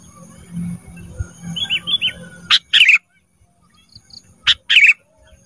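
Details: Ruby-throated bulbul in a training recording for cage birds: soft curled whistles, then two loud, rasping double bursts about two seconds apart over low hum.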